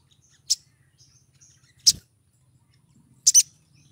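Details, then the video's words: Female sunbird (local name sogon) in breeding condition calling to attract a male: three sharp, very high chirps spaced more than a second apart, the last one doubled, with a faint low hum underneath. "PANGGILAN SOGON BETINA BIRAHI MEMIKAT SOGON JANTAN"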